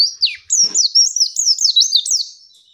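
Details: Female white-eye call used to goad rival males into calling: a continuous high twittering warble of looping, wavering whistled notes that dip and rise repeatedly, with one brief lower chip near the start.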